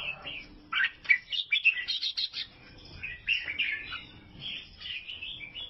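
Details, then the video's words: Excited twittering from a Vietnamese albino sooty-headed bulbul: a rapid flurry of sharp chirps early on, then looser warbled phrases and a faint low hum beneath. "KICAUAN BURUNG KUTILANG ALBINO"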